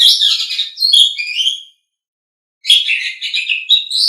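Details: Asian pied starling (jalak suren) song used to tutor pet birds: two dense bursts of harsh, warbling chatter mixed with whistles, separated by almost a second of silence.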